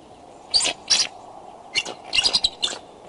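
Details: Bald eagles courting at the Decorah nest on 2 February 2012 around 9:30 am, possibly mating; a few separated, high, chirping notes, then a tighter cluster of quick piping calls over a faint steady background hiss.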